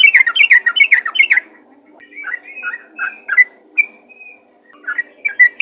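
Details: Yellow-vented bulbul calling to other bulbuls with rapid chattering: a quick burst of bubbly, slurred notes, then spaced single liquid chirps and short whistles after a pause.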